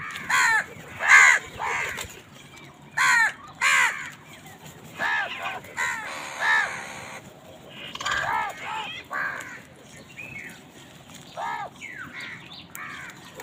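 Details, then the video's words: Crows fighting over food, with a long sequence of hoarse caws in pairs and bursts across the recording, some overlapping, others fainter in the background. "কাকের ডাক Crows fight for food Crow Sound"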